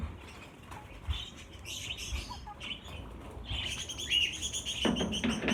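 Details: Around fifty budgerigars kept in a cage, being transferred to a larger flight cage, give rapid bright tweets and chattering chirps that grow denser toward the end, mixed with wing flutters and rustling.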